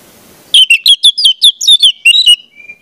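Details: Lure song of an orange-headed thrush for training young birds: after a brief quiet start comes a steady series of about a dozen crisp, high, falling whistles, ending in a thin fading tone.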